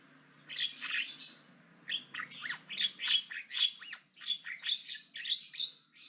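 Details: Javan myna in aggressive, loud chattering song: a harsh rasp followed by a rapid series of about ten scratchy, squeaky notes, each roughly a third of a second apart.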